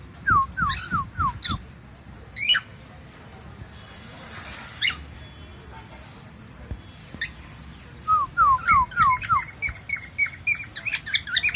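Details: Pet cockatiel making funny sounds: a quick run of five downward-slurred whistled chirps, sharp squawky bursts and scattered notes. It ends with another chirp series and rapid higher whistles, with soft thumps and rustling in the background.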